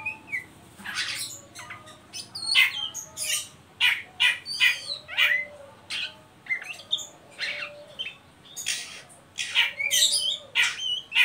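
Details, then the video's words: Oriental magpie-robin giving a ngeriwik call to stimulate young birds to sing: dense, energetic run of harsh buzzy notes and whistled fragments, closely packed and continuous. "Suara burung Kacer ngeriwik pancingan ampuh buat Kacer bahan"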